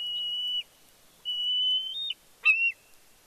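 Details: Bald eagle eaglet on fledge day, Big Bear, 31 May 2022, squeeing as the father arrives with fish. Two long, flat, high whistles are followed by a shorter, sharper squeal.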